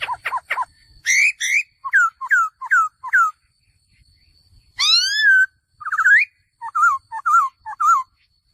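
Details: A male laughingthrush delivers quick low notes, then a series of bright rising-and-falling whistles, a pause, one long upward-sweeping whistle, a rising note and three closing slurred whistles.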